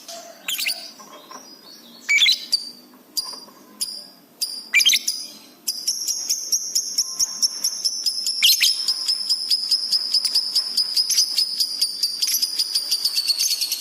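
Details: Lovebird singing energetically, recorded for training pet birds, with heightened excitement: scattered sharp chips give way to a long rapid chattering trill over a steady, ringing high tone.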